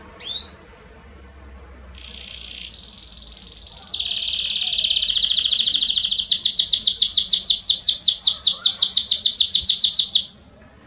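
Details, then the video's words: Belgian canary singing strongly, used to warm up other canaries: a short opening note, then held buzzy tours shifting pitch step by step, building into a loud, fast, evenly pulsed trill of rising-and-falling notes before stopping abruptly. "Canário Belga Estourado esquente seu canário belga em 30 minutos"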